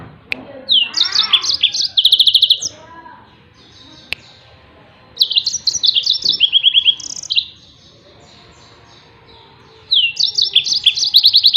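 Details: Yellow-fronted canary singing as training material for other songbirds: three bright phrases of high, fast trills and whistled notes, each a couple of seconds long, with short silent gaps between them.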